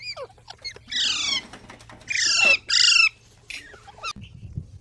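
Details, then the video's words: Baby parrots calling with three loud, harsh, harmonic squawks that slide downward, each about half a second long, with faint clicks and scratching between them. "Baby Parrots Sounds"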